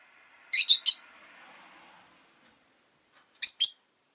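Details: Rosy-faced lovebirds, five pets caged at a window in winter, give a pair of shrill chirps over the low rumble of a passing vehicle, then, after a short pause, another quick pair.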